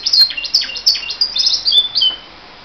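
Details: Pet canary singing indoors, as it does every morning: rapid, bright, high-pitched phrases of short sweeping notes and twittering trills, closely spaced and ending in a brief fading pause.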